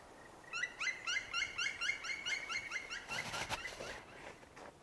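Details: Black Woodpecker heard in flight in a fir forest in montane Livradois-Forez: a quick run of about a dozen harsh, rolling 'krri' notes, five or six a second, then a brief burst of rustling noise.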